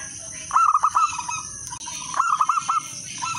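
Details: Two lively phrases of rolling coos from a local wild zebra dove, about one and a half seconds apart, each with five or six quick curved notes. The song is meant to lure other doves into singing. Softer doves and hiss sound behind.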